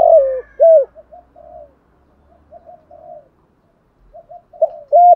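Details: Morning calling from a spotted dove kept as a lure to attract a flock: a falling coo and a bright hoot open, followed by soft muffled cooing phrases, ending with another sharp clear coo.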